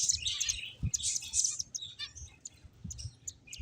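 Several finches chirp in a busy, overlapping chatter of short, high twittering notes, with soft low thumps and rustling underneath.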